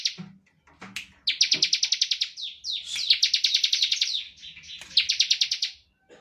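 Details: Used as a lure for other singers, this bar-winged prinia song has a few scattered chips followed by long, rapid, buzzy trills of sharp repeated notes.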